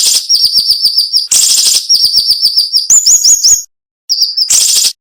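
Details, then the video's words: Sharp, dense cinnamon-bellied flowerpecker song used to tutor songbirds. Loud buzzy bursts alternate with rapid series of high chips, then rising slurred notes follow, a brief silence, and another buzz. "MASTERAN SUARA BURUNG SIRI SIRI NEMBAK TAJAM"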